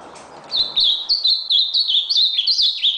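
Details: Red nose ultramarine grosbeak singing a lively string of high, slurred whistles, around eight notes in two and a half seconds, pitch wavering and climbing toward the end of the phrase.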